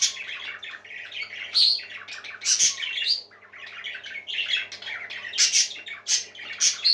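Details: A flock of parakeets chatters nonstop, mixing grating squawks, thin whistles and quick chirps, with louder peaks every second or so over a faint room hum.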